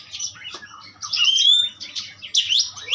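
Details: Short burst of Asian pied starling song: a bright drawn-out whistle bracketed by rasping, squeaky chatter notes.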